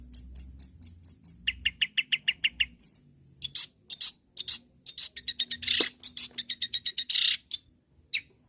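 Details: Long-tailed shrike calling rivals with a fast, varied string of rapid chirps, clicks and high thin notes, many repeated several times a second, with a few harsh scratchy bursts mixed in.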